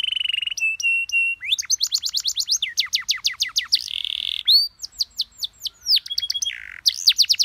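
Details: Canary master song, labelled PAUD, meant for other birds to copy, with pleasant, easy-to-imitate phrasing: a held whistled note, then rapid high trills, repeated chirp series and sweeping descending notes in quick succession, with no other sounds.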